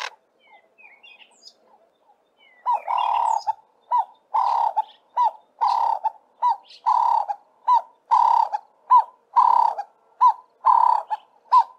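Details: Ring-necked (Cape Turtle) dove giving loud, throaty cooing notes, repeated about once a second with a steady rhythm, after a few soft opening notes; variations include a landing call, the regular "work harder" call and a shorter version.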